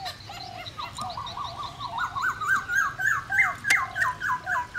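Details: Black-throated laughingthrush song played to stir other birds into song: a long run of rapid repeated whistled notes that climb gradually in pitch, with one sharp click.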